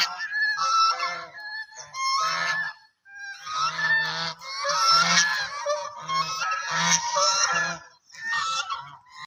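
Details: Black and white ducks giving loud, raspy, nasal honks in overlapping bursts, several birds calling almost without a break.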